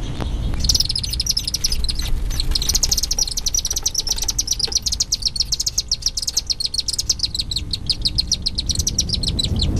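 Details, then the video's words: Chimney swift hatchlings being fed insects by both parents give a dense, rapid chatter of high, buzzy chips, pulsing steadily throughout, over a low rumbling background. "Chimney Swifts Feeding Hatchlings"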